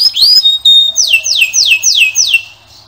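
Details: Male canary singing a short phrase: a rising whistle and steady note, then a series of five quick descending whistled sweeps.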